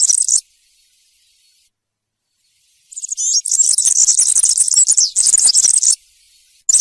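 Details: Campero-style European serin song used to tutor young birds: a brief high jingle, over two seconds of quiet, then a three-second stretch of fast, shrill, tinkling trills, ending with another short burst.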